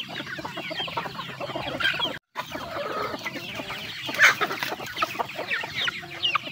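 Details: Chickens feeding, with a continuous mass of clucking and chirping, a brief dead silence after two seconds, then louder shrill peeps returning among the pecking.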